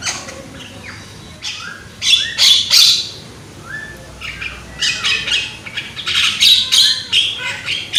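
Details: Javan myna, a young bird with a strong voice, singing as a lure to spark other mynas: loud grating squawks in clusters, with a few softer whistled notes between them.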